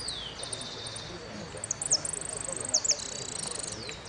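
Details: Hooded siskin competing in the Amarillo Completo winners' final at Merlo, 13 01 13: a descending slur, a long high buzzy trill, a few sharp chips, then more trilling, with quiet talk behind.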